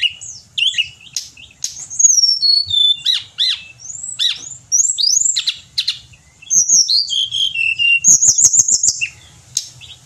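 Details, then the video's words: A Pied bushchat, used as a tutor singer in Indonesia, delivers a varied run of chirps and looping whistles. A falling series of notes follows, then a fast buzzy trill and some closing chips. "Tledekan Gunung Gacor"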